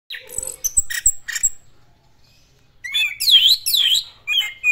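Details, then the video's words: Orange-headed thrush, known locally as anis merah, singing in a lively classic style. High, varied phrases of chirps and sweeping whistles come in bursts, pause for about a second, then return as rising and falling slurred notes. "BURUNG ANIS MERAH GACOR GAYA KLASIK"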